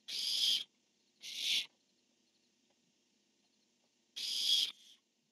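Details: Barn owl pair on a nest cam, 10-1-15, male calling and female replying: two close harsh screeches, a pause of over two seconds, then a longer screech trailing into a fainter tail.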